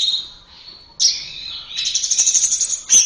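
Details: Orange-headed thrush song used as a training recording for caged birds: sustained high whistled phrases with a sudden bright burst, then a long trilled, warbling passage ending in a sharp high note.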